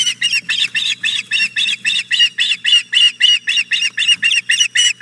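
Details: On 4 May 2017 at the Hog Island Boathouse nest, the female osprey solicits the male's fish. Evenly spaced, insistent whistled yelps repeat about four times a second for the whole stretch, loud and clear above a low electrical-sounding drone.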